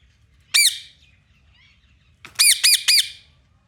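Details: Caged pet parrot moving about its cage in a playful mood: one sharp, harsh squawk, then after a pause three loud repeated squawks in quick succession. No talking is heard, and there is little background noise.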